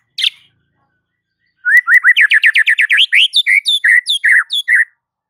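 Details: White-rumped shama (murai batu) lure song to set other shamas singing: a single sharp note, then a fast, rolling series of rising whistles that climbs, breaks into varied chirps and slurred notes, and ends abruptly.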